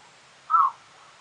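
A Eurasian bittern gives a single short, hoarse, crow-like bark, mid-pitched and slightly falling, against a faint background hiss.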